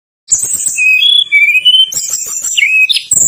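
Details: Tledekan gunung song used as a lure to make other birds sing, with rolling, tight, shot-out notes: buzzy high trills, then clear whistled slurs rising and falling, and short sharp chirps at the end.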